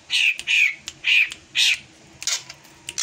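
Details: Drongo giving an unusual song: harsh, raspy notes in short bursts, four loud ones in the first two seconds and then softer scattered notes, in a quiet indoor setting.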